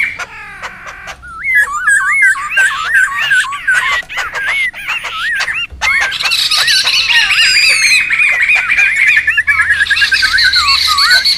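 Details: Wild laughingthrush chorus for luring and tutoring birds: sharp clicks and sparse calls at first, building into continuous wavy whistles and raucous overlapping chatter.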